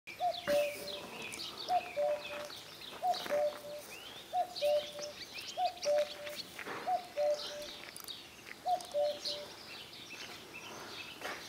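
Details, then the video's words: Common cuckoo singing at Shuamta near Telavi; clear two-note cu-coo, the second note lower, repeated about seven times at steady intervals, with chirps and twitters of other birds in the background. "common cuckoo song - cuculus canorus - გუგული"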